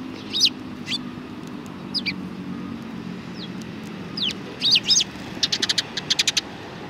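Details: Sparrows chirping at a Tenmangu shrine, Japan, 31 March 2020: scattered high, slurred chirps, some doubled, ending in a fast burst of clipped repeated notes over a low background rumble.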